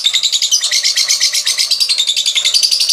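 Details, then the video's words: Continuous high-pitched ngekek chatter from a lovebird, a rapid, pulsing rattle of notes repeated many times per second without a break, used to stimulate other lovebirds into long ngekek singing. "Suara LoveBird Terapi,Rangsang Lawan Cepat Ngekek,LoveBird Ngekek Gacor"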